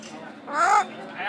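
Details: Parrot in Mallorca, 2013, mimicking speech: a single short harmonic utterance, rising then falling, like a spoken "hello", over a quiet background.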